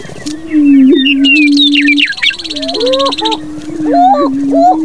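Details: Male greater prairie chicken in a spring breeding display, strutting and dancing. A steady low moaning hum holds for about two seconds, then breaks into wavering, rising whoops. Higher chirps and cackles from other birds overlap throughout.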